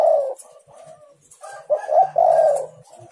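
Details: Spotted dove call used as a lure to provoke other doves into answering, low hollow cooing notes in short bursts, with a fainter distant coo and light background noise.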